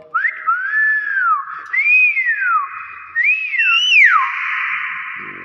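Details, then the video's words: A Nias hill myna gives loud, clear whistles: four arching notes that rise then slide down, about one each second, over a steady background hum. "BEO NIAS SUARA ASLI"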